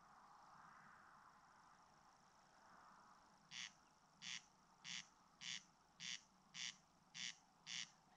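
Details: Quiet start with a faint Common Grasshopper Warbler reel, then a Corncrake begins its dry rasping call, eight loud grating bursts roughly every 0.6 seconds; West Estonia, Ridala, summer 2019, captured with a GoPro Hero 7 Black.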